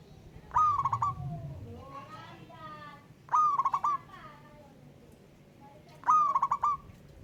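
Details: A wild local zebra dove answers a rival with three stuttering coos, each a level note with rapid pulses; a lower, sliding second call sounds between phrases over a soft hum.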